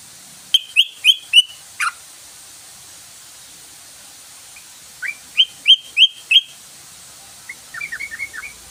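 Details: Yellow-vented bulbul (trucukan) lure call to get birds singing: a series of four bright whistled notes, a long pause, another series of four, then a quick twittering run of lower chirps.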